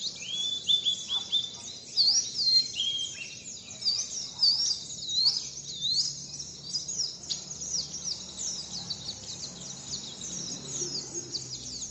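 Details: Bird song of the wit wit zipeer type, recorded for learning: bright, shrill whistled notes, upslurs and quick chirps in a busy continuous stream, a louder burst near the start, then thinner twittering.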